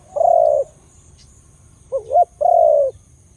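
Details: Khmer dove with a big voice cooing: a long, low, even coo, a pause, then two short rising notes leading straight into another long steady coo, with a faint hum underneath.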